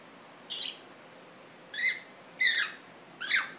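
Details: A 4-month-old female Congo African grey parrot, free-flight pet, gives four short, harsh, downward-sweeping squawks, spaced under a second apart, over quiet room hiss indoors.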